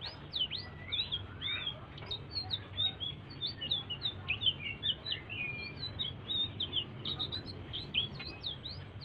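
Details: Quiet blue-throated bee-eater song, used to get other birds singing: constant high chirping with sharp upslurs and short twitters packed closely together, over a soft low hum.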